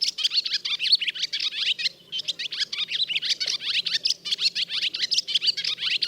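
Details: Male Barn Swallow twittering after the first brood has fledged, on wires or inside the building where the nest is being built; a fast, continuous chatter of dry chirps and rapid notes, nearly unbroken except a brief pause near two seconds.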